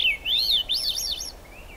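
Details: Swainson's thrush singing in the rain at the Squamish River Estuary on July 6, 2022; a quick series of fluty, looping whistled notes spiralling upward in pitch, then a fainter trailing phrase, over a soft hiss of rain.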